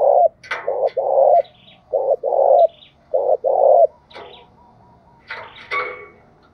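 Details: Caged decoy spotted dove calling: deep, hollow coo phrases of two or three quick notes and a longer drawn note that falls at the end, repeated about five times, with faint higher chirps from other birds between.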